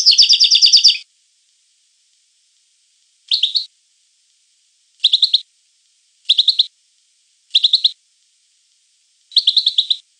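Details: European goldfinch giving a one-second rolling trill, then five short twittering bursts at irregular intervals of one to two seconds.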